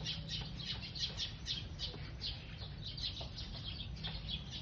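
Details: Sparrows feeding chirp in a busy, overlapping chatter of short high notes, many birds calling at once over a steady low rumble.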